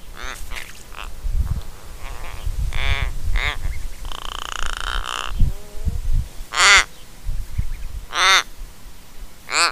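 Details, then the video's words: Australian Little Raven on a trail camera at Mannum, South Australia, creaking while fluffing head feathers and throat hackles: a run of harsh, grating creaks, one drawn-out rasping note, then spaced loud croaky calls amid low thumps and rustling. "Australian Raven Making Creaking Sounds"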